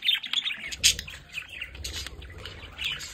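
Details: Pet budgerigars at a home window play area chatter in quick, high warbles and scratchy chirps, several birds overlapping in an uneven stream with a soft low rumble beneath.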